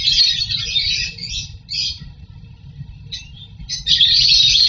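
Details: Lovebirds breeding and feeding chicks in a nest box make loud, shrill squawking bursts broken by short silent gaps. They end in a sustained harsh stretch, with a low background hum.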